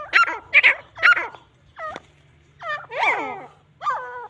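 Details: Grey francolins in a fight, starting with three quick harsh bursts, then stepped, squealing notes and a long wavering descending cry, over a low hum.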